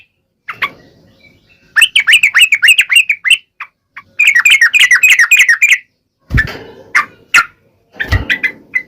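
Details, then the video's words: Yellow-vented bulbul in vigorous sharp wild-style singing, played to prompt other bulbuls to answer. Rapid bubbly chattering phrases of quick rising-falling notes in two long bursts, then short separate notes mixed with low thumping knocks. "KICAU SUARA trucukan gacor NGALAS TAJAM ini AMPUH SEKALI JADIKAN burung trucuk gacor SEKETIKA NYAUT"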